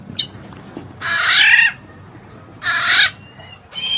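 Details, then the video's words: Black-naped oriole (kepodang mas), used as a recording to stir lazy birds into singing. Two loud, harsh, rasping nasal bursts of about half a second each, separated by a pause, with a faint short note before them. "TERAPI BUAT MANCING BURUNG MALAS BUNYI,SUARA KEPODANG MAS"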